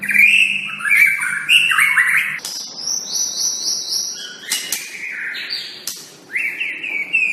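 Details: White-rumped shama song used as a training recording (masteran) for kept birds: loud, varied whistled phrases, slurred and rising notes, with sharp high bursts and quick changes of pitch, fairly irregular, with little background noise.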